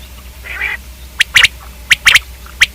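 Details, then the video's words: One soft nasal note from a common quail, then crisp clipped notes grouped in threes, each group half a second apart. "Quail k hobsort awaz|Quail/Batair|Batairawaz"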